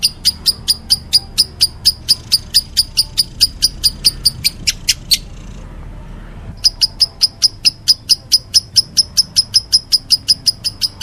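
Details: Lovebird in meloloh style: regular sharp high chirps, roughly four per second, pausing for about a second and a half midway before resuming at the same pace.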